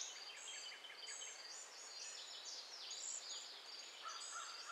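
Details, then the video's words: Several Cedar Waxwings in Michigan on June 20, 2011, give very high, thin, lisping seee notes in a steady faint overlapping chorus, with a lower whistled note from another bird near the end; mosquitoes and other nearby birds are possibly audible. "Cedar Waxwing (Nature Sounds)"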